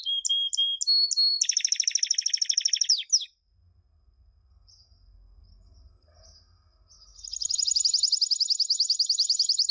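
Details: Canary champion song for teaching young canaries: short pulsed whistles and a dense buzzy trill, about four seconds of near silence with faint low hum, then a bright rapid trill.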